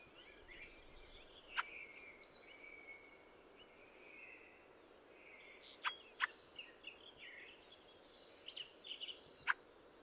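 A Fieldfare gives a squeaky, jumbled, chattering warble broken by sharp harsh chack notes, two of them in quick succession midway, over a steady soft hiss.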